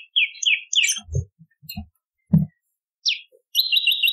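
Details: Bar-winged prinia in a lure and training recording: quick paired chirps, then low knocking thuds, a single rising note, and finally a fast even trill held steadily to the end.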